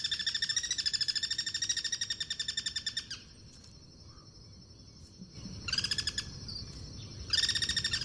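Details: Wild Guira cuckoos in natural habitat exchanging cross-song: a long, loud pulsed rattle for three seconds, a pause filled by insect drone, then two more short rattling bursts.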